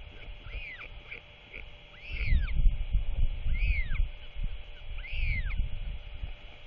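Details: A male royal albatross arrives just before dark on 27 March 2024 and feeds his chatty chick, giving low, throaty grunts and gurgles in an uneven burst. A small bird chirps arched notes about every one and a half seconds over a steady hum.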